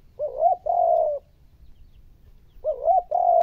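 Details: Spotted dove coo used to stimulate difficult decoy birds: two loud, clear phrases, each a quick pair of hooted rising notes followed by a sustained flat coo, over a near-silent background.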